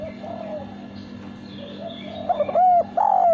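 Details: Spotted dove male giving a clean song. Soft, faint coos early on build to loud, clear notes near the end: quick short hooked coos, then a sustained steady coo, with a low hum underneath.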